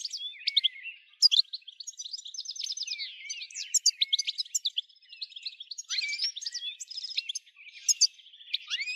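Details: European goldfinch song for prompting other goldfinches to sing, made of quick varied twitters, fine trills and slurred whistles in a lively, almost continuous flow.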